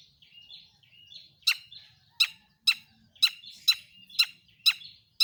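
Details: Long-tailed shrike lure song used to make other shrikes sing: soft warbled notes, then sharp harsh chattering notes repeated about twice a second, each spanning high to low pitch.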